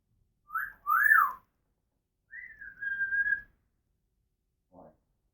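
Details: Female African grey parrot kept as a pet, whistling in a small room: a short rising-falling whistle pair, then a long level whistled note, and a soft brief click.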